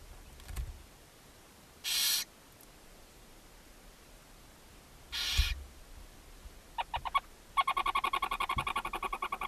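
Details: Barn owls at a nest box beside a chimney in Ságvár, Hungary, May 4, 2024, the mother feeding her seven owlets: two harsh broadband hissing bursts, then a rapid pulsed chittering series near the end.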